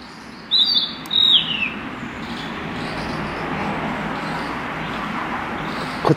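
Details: Narcissus flycatcher singing in Kiyosato, Japan, on 15 July 2012; two bright high whistled phrases early on, the second sliding downward, then steady background noise.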